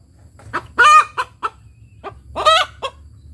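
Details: Village hen's egg-laying cackle: two loud drawn nasal cries, each followed by a few sharp short clucks, over a low background drone.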